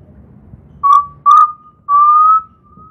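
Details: Undulated tinamou from Piauí singing: two short, pure whistled notes, then a longer, steady whistle that rises slightly in pitch, all fairly low and clear over a quiet background.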